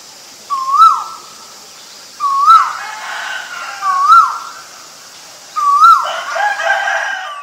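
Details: Loud, clear calls of a male Asian koel: four rising whistled notes, each sliding upward then dropping, repeated about every one and a half to two seconds, with some rustling after the last.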